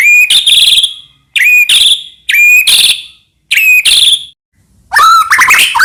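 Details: White-rumped shama song played to provoke other shamas into singing. Four similar short phrases, each a clear whistle followed by a buzzy flourish and spaced about a second apart, lead into a final tumbling run of varied whistles.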